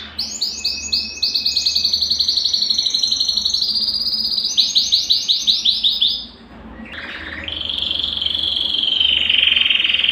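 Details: Singing Belgian canary, a recording to stir a cold canary: high rapid trills with evenly repeated notes, a brief drop and pause after six seconds, then a lower, steady buzzing trill.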